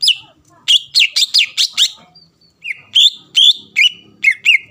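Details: Greater green leafbird lure song aimed at provoking rival birds: bursts of sharp, downward-sweeping whistles about two or three per second, a short gap, then steadier clear whistled notes.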